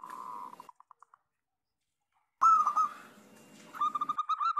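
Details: Local zebra dove song meant to coax other doves into singing: short trills of clipped notes at the start, then after a silent gap a louder ringing phrase followed by quick staccato coos over soft background hiss.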